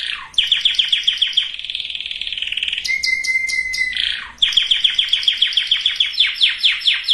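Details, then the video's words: Breeding-preparation canary song for females and males: fast rhythmic trill of repeated chips, a softer rolling passage, a pure level whistle, then another long rapid trill. "اقوى وافضل تغريد كناري لتجهيز الاناث وتجهيز الذكور canary singing"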